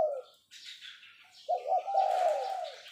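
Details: Brief 'phao' call from a caged decoy spotted dove: one short coo, a pause filled with rustling, then a drawn-out throaty cooing phrase overlapped by a burst of high chirping.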